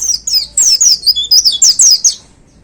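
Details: Energetic 'tembakan' burst from a caged white-eye in peak form: a continuous stream of rapid, very high, downslurred chirps and twitters that fades out at the end.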